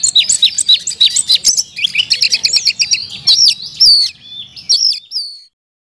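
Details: Captive Oriental magpie-robin singing isian-style song full of fill-in phrases: rapid high twittering chirps at first, then sparser sweeping whistles, ending in silence.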